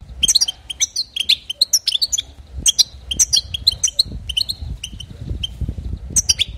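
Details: European goldfinch song meant to excite other goldfinches: rapid tinkling, twittering notes and short trills mostly high-pitched, in bursts with brief pauses, over a low background rumble.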